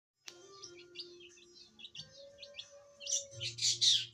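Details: Young long-tailed shrike from the forest just beginning to sing: thin, high chirps and short twittering notes, growing into louder scratchy bursts near the end, over a steady low humming tone.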